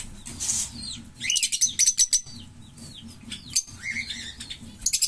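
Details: A pair of green Fischer's lovebirds chatters in rapid bursts of sharp, clicky chirps mixed with high slurred whistles, in uneven phrases lasting about a second each.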